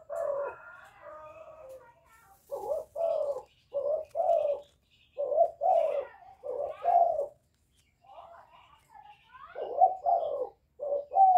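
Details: Young spotted dove giving its calling coo along with bowing coos, a style said to suit and stir up decoy birds; hoarse low coos in short two- and three-note groups, with softer muttered coos between bursts.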